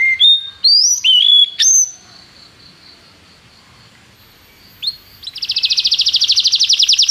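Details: Canary tutor recording for training a young bird: a few scattered high whistled and slurred notes, a long quiet stretch with a faint steady tone, then a fast buzzy trill building toward the end.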